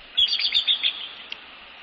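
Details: Bald eagle pair at their nest in northeast Florida, evening of January 15, 2019, greeting one another; a single quick burst of high, squeaky staccato notes lasting about a second, then quiet.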